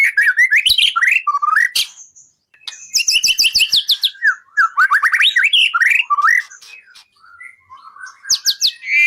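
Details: Training recording of a White-rumped shama singing for songbird contests: rich, varied whistled phrases that sweep up and down, with quick trilled runs, sharp clicks and short pauses between bursts.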